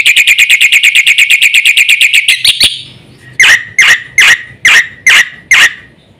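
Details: Black-winged myna in full song: a fast string of harsh, buzzy notes that speeds into a few louder calls, then after a short gap six separate loud shrieks spaced about half a second apart.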